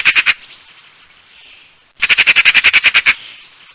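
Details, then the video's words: Harsh magpie chatter: the tail end of one rattling burst, then quiet for over a second, then a fresh run of about eleven grating, evenly spaced notes delivered in roughly a second. "Saksağan Kuşu Sesi"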